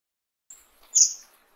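Fire-tailed myzornis giving a thin, very high note, then a louder, sibilant burst half a second later; nothing else is heard.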